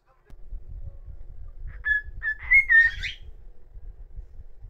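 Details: Pet cockatiel giving a solo whistled performance: a few short whistled notes build into a brief wavering phrase that rises and falls, over a low background rumble.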